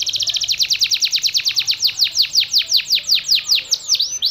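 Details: Yellow canary delivering konslet song: an unbroken run of loud downslurred whistled notes, about eight per second at first, gradually spacing out and ending in wide swooping slurs.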